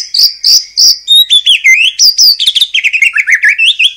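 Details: Lure song of a white-rumped shama for provoking rival shamas to sing, rich and fast, with three high whistled notes followed by a tumbling, continuous run of varied slurred whistles and warbles.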